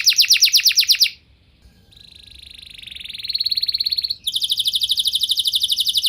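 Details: Canary lure song meant to set other canaries singing at length: a bright rapid trill, a brief gap, a long buzzy roll rising slowly for about two seconds, then another fast, high, evenly repeated trill.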